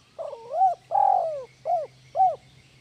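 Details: Spotted dove (tekukur) call used as a master recording to stimulate lazy doves to sing: a stuttering low coo, a long drawn hoarse coo, then two short rising-falling coos, all within three seconds, clean and quiet behind.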